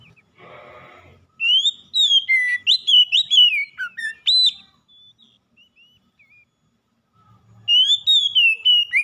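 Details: Oriental magpie-robin coaxed into nonstop song: a brief rustling noise, then a long sequence of clear, varied whistles and slurred notes, and another phrase after a pause.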